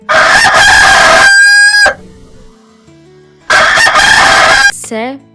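A rooster crows twice, each a loud, harsh, drawn-out cock-a-doodle-doo with a strained, wavering finish.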